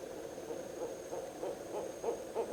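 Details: Barred owl claiming a hole in a tree as its nest site well before the January nesting season; evenly spaced short hoots repeated about three times a second over a low rumbling background.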